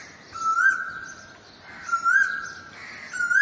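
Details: Asian koel singing its 'koo' call: clear whistled notes that swell upward and hold, repeated roughly every one and a half seconds, over a steady wash of background noise.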